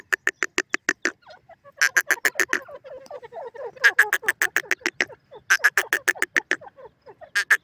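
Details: Partridge chirping in woodland: quick runs of loud, clipped notes in several bursts, separated by softer, jumbled twittering notes.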